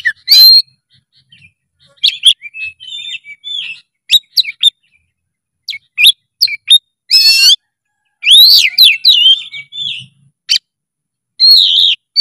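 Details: Kacer, the oriental magpie-robin, in full song: varied whistles, a buzzy rattling burst, rising and falling slurred phrases and brief chattering notes with short pauses.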